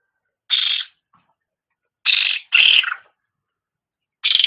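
Grey-cheeked Bulbul giving four harsh, rattling bursts, each under half a second, at an uneven pace over about four seconds, with nothing else heard.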